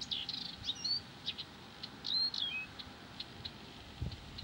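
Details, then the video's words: Persistent Blyth's reed warbler song: a burst of high chattering notes, a downward whistled slur, then spaced single ticks, with a faint low thump near the end. "САДОВАЯ КАМЫШЕВКА НЕ В СИЛАХ ПОМОЛЧАТЬ!"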